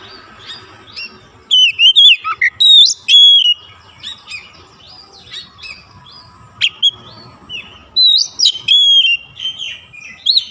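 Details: Kacer, the magpie robin, singing in a cage: scattered whistled phrases with steep up-down slurs, short chips between them, and a quieter stretch before another run of bright notes.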